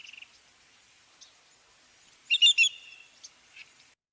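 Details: A Greater Yellowlegs, a shorebird breeding in Newfoundland, gives its clear, ringing call of three quick, evenly spaced high whistled notes, said to sound like "yellowlegs"; fainter chips from other birds before and after.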